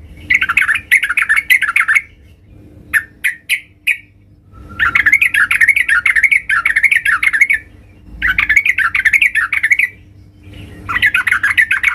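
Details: Sooty-headed bulbul female calling for the male: long bursts of rapid, bubbling chatter repeated after short gaps, with a brief cluster of sharp chips between them.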